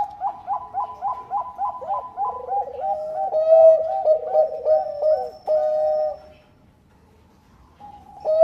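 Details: Zebra dove of Bangkok type singing to prompt other doves: a run of about ten evenly spaced hooked notes, then overlapping loud rolling coos and a sustained tone, a quiet pause and a final coo.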